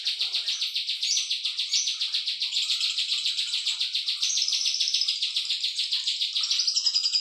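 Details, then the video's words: Cisaw singing for use in training songbirds: an unbroken, rapid chattering trill of high, evenly pulsed notes, growing slightly louder midway, with a few thin whistled upslurs on top. "Suara Burung Cisaw"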